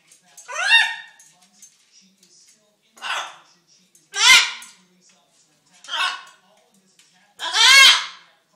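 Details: Hungry pet macaw asking for attention, uttering five rasping voiced phrases, some with falling inflection, spaced roughly every one to two seconds in a quiet room.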